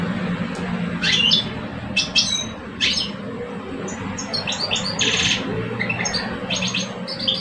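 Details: Caged European goldfinch males, an old bird and a two-year-old, competing in song in Algeria; sharp scattered chirps give way to a buzzy rattle and jingling twittered phrases, steady low hum in the background.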